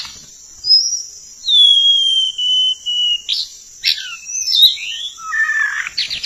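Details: White-rumped shama sound played as a trapping lure: a long clear descending whistle followed by quick sweeping whistled notes and a short warbled phrase, steady high hiss behind.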